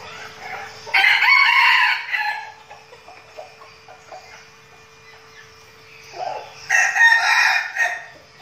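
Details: Flock of decoy red junglefowl in Bình Phước, Vietnam, kept for luring wild birds and training before going to the forest: two short, harsh, broken crows, one near the start and one near the end, with quiet gaps and a steady faint hum.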